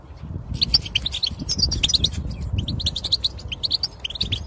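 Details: European goldfinch song for encouraging silent goldfinches to sing: after a brief quiet start, lively twittering with liquid chirps and tinkling notes, over a low background hum.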